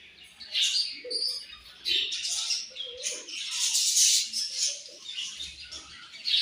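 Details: Many budgerigars chirping over their morning food, busy high twittering with a few short mid-pitched warbled notes repeated, building to a loud dense burst around the fourth second.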